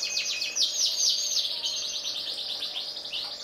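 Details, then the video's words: Canary, compared as a black-red canary against a yellow canary, singing a fast, continuous stream of high trills and chirps, with bright rising and falling notes packed closely together. "Kenari Black red vs Kenari Kuning"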